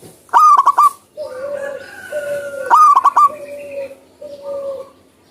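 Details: Zebra dove (perkutut) singing actively in the wild: loud bursts of rapid staccato cooing notes, repeated twice, between long, steady whistled tones at a lower and a higher pitch.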